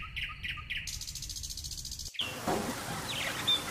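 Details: Nightingale song opens with three quick upslurred notes, then a loud harsh buzzing rattle held for over a second; a sudden break leads into noisier background with faint chirps.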